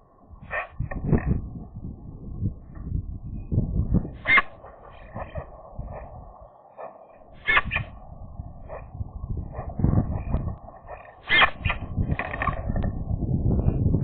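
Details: Song of a Eurasian magpie at the nest: scattered sharp, scratchy notes and brief raspy clusters spread irregularly over the recording, with a constant low rumbling background throughout.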